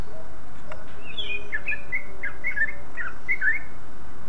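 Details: Greater green leafbird (cucak ijo) singing, a song said to provoke other leafbirds into singing: scattered short chirped and whistled notes, some rising and some falling, in quick succession over steady low background hiss.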